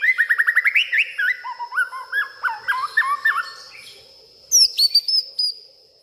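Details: A White-rumped shama sings agitatedly at night, pouring out its whole repertoire of mimicked songs: a fast burst of rising chirps, then varied whistled phrases and sharp high notes, over a steady thin insect-like hum.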